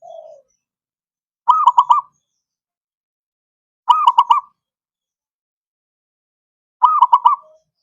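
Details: Song of a zebra dove, used to stimulate silent doves to sing: a soft low note, then three loud bursts of quick bubbling coos, each burst of about five notes, spaced roughly two and a half seconds apart.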